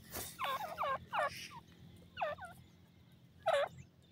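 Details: Pheasant chicks responding to a call in a forest: clear, downward-sliding peeps in quick pairs and trios, then a pause and a louder single note over steady background hiss.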